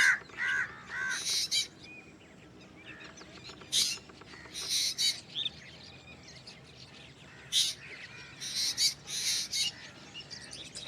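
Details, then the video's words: A Black drongo gives a strange call: harsh, scratchy, high-pitched calls in irregular bursts, some short and rasping, others longer and buzzy, with quiet gaps between. "Black drongo Strange Call / Sound"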